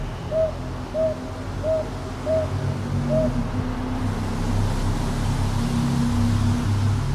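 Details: Northern boobook at Ichijoji, Kyoto's Sakyo Ward, 22 May 2023, TASCAM DR-100MKIII recording: five mellow hoots in the first three seconds, then the owl falls silent as a loud low rumble like passing traffic or wind takes over.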